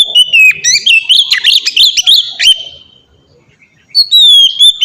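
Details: Ngeplong song of a captive white-rumped shama, used as a lure to train other kacer: jumbled rapid whistles and chips, a trailing tone, short silence, then a long clear falling whistle.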